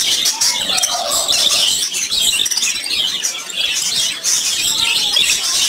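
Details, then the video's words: Several colorful lovebirds in a cage produce a busy, continuous stream of sharp, high chirps and twitters. A few slightly lower whistled notes stand out within the noisy flock chatter, which dips briefly in the middle. "Cute Colored Lovebirds In The Cage | Birds Chirping"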